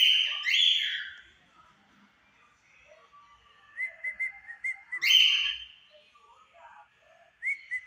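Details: At 5 pm, a white and a yellow cockatiel sing as a pair. Loud grating calls open and close the clip, with a short series of clipped whistled notes and soft chatter between them.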